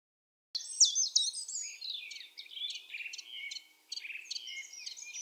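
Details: Common chiffchaff singing at Topbjerg (Mønsted) on 5 April 2020: a quick high twitter, then a steady run of sharp, high notes, about three a second, in a quiet background.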